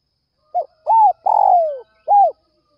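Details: Early-morning spotted dove luring call: a brief stuttered double note, a rounded rising-falling coo, a drawn-out rough coo gliding down in pitch, then one more arched coo; otherwise quiet.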